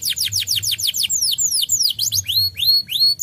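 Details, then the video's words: Canary song meant to prompt lazy canaries to sing: a run of quick downslurred whistles slows into longer looping sweeps and drawn-out rising whistles, clear over a low background hum. "PANCINGAN KENARI AMPUH! Kenari malas langsung nyaut"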